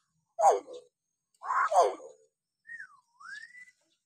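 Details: Hill myna recorded to coax silent mynas into calling: two harsh, raspy bursts, the second longer and doubled, followed by a smooth whistle that falls and then rises again.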